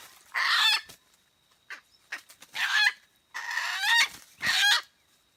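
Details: Red junglefowl at Mata Ie, Aceh, recorded during a decoy-luring (pikat) session: harsh, buzzy crows with ringing harmonics, roughly two crows within five seconds, each a longer strained phrase followed by a brief clipped ending, with a faint steady tone in the background.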